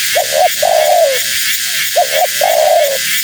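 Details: Female spotted dove calling persistently, said to draw in wild doves: two phrases, each two short hooting notes then a long, slightly falling coo, over steady background hiss.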